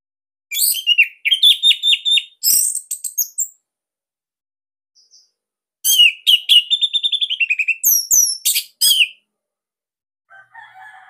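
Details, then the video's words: Captive Bali orange-headed thrush with a loud, tight training song: two long phrases of rapid chattering notes and slurred whistles, each ending in sharp high notes, then a faint lower warble at the end. "Kicauan ANIS MERAH Ini Cocok Buat Masteran"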